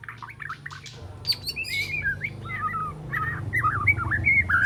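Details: Spotted three-month-old white-rumped shama learning to sing, practising borrowed phrases and harsh, sharp notes: quick chirps give way to varied fluty warbled whistles that rise and fall, over a constant low electrical hum.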